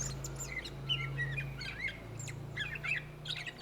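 A greater green leafbird sings a rapid, varied run of sweet whistles, chirps and sharp squeaky notes, with a steady low electrical hum underneath.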